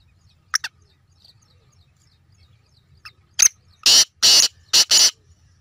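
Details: Black francolin giving a single loud rasping phrase of four harsh, noisy bursts in quick succession, preceded by a few faint clicks and short chirps, over a quiet background.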